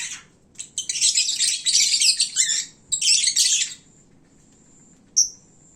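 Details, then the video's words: Lovebirds at midday, full and sleepy, at their noisiest time, like a bird market: dense, shrill, buzzy chattering in long overlapping bursts, a pause near four seconds, then one sharp high chirp. "Kicauan Lovebird saat mengantuk"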